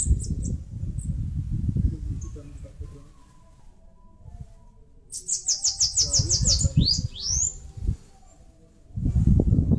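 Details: Bananaquit from northeastern Brazil, singing as it builds a nest in a mandacaru: scattered high chips, then a fast string of shrill, buzzy notes closing with upward-swept squeals, amid intermittent low rumble.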